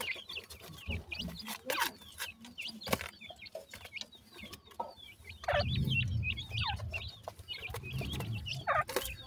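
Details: Feeding baby partridges: rapid, uneven streams of high, thin chirps from many chicks, broken by knocking and rustling sounds and a louder low scuffle near the end.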